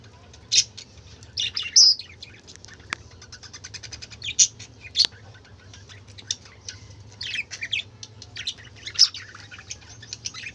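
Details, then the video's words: A noisy gathering of budgerigars: rapid ticking trills and high squeaky chirps, with a few louder squawks and two sharp clicks standing out. "কালারফুল পাখিদের চেঁচামেচি ৷ বাজিগর পাখির ডাক"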